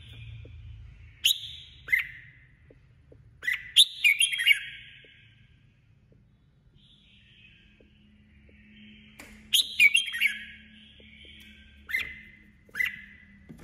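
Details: Red-whiskered bulbul, a female decoy in competitive singing, gives scattered short phrases of chirps and slurred whistles, then a quiet stretch before a denser run of notes. Faint low hum underneath.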